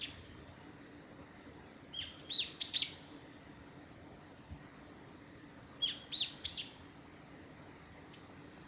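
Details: Japanese tit song recorded on 28 March 2020 on the Hayatogawa forest road by Lake Miyagase, Japan: two bright phrases of quick high whistled notes about four seconds apart, with a faint distant chirp between.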